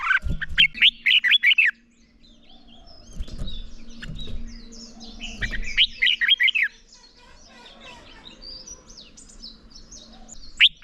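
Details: Red-whiskered bulbul belting out combat song in the morning to stimulate a young bird: two loud warbling phrases separated by about four seconds of soft chirping and background knocks.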